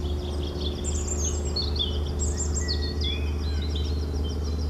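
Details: European robin song: a string of high, thin, fast-changing phrases with some longer pure whistles in the lower part of its range, set against a constant low humming drone.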